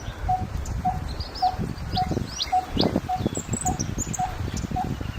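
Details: Coppersmith barbet giving its monotonous, evenly paced 'tuk' notes, nearly two per second, amid scattered high chirps and twitters from other birds and low thumping background noise.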